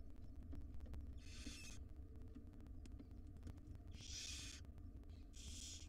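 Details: Wild barn owl nestlings, five in a monitored box, begging while fed breakfast by their mother; three harsh rasping hisses of up to half a second, spaced unevenly over a low hum.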